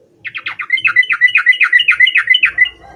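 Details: Energetic yellow-vented bulbul song used to call out a rival: a fast, loud string of roughly fourteen bubbly, slurred chirps, each note dipping and rising, tumbling out in under three seconds with near-silent background.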